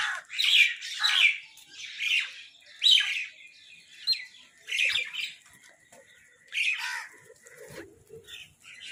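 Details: Crows fighting for food give rough, grating calls in uneven bursts. Some come in quick doubles, with pauses between groups and faint lower scraping sounds near the end.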